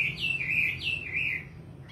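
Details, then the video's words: Nightingale song in a short burst: smooth, looping whistles that swoop up and down, fading toward the end. "Singing nightingale. amazing bird song"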